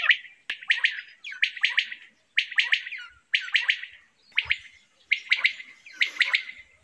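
A quail gives short, high, chirping notes in quick clusters of two or three, repeating about once a second with brief pauses; no other sounds intrude.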